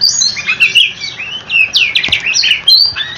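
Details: Oriental magpie-robin singing to draw answers from other magpie-robins: quick clear whistles and sharp downward slurs, with a stuttering burst of notes in the middle.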